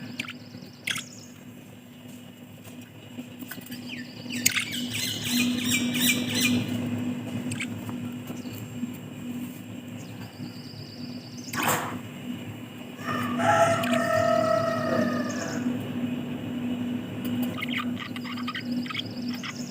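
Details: Budgerigars exercising chatter with rapid warbled chirps and harsh squawks over a steady indoor hum.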